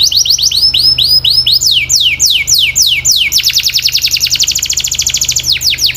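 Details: Domestic canary delivering loud, continuous song: fast repeated high sweeping notes changing into rapid buzzy rolls, several tours in quick succession, with a steady low hum beneath.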